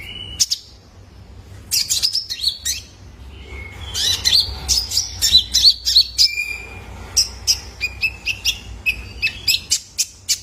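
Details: Young male Van Hasselt's sunbird calling, used as therapy to get caged birds singing: sharp high chips and wavering whistles, dense in the middle, then steady chirps repeated about three times a second, with low background hum.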